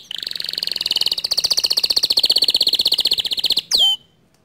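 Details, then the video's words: White male canary with a standard long song: an unbroken rapid rolling trill lasting nearly four seconds, ending in one sharp downslurred note, then quiet. "Kenari Jantan Putih Kicau standart panjang"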